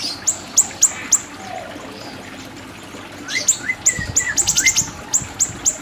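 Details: Siri-siri bird, tutoring recording: a few spaced high ticks, a quieter stretch, then a quickening cluster of sharp clicking notes with short rising whistles underneath.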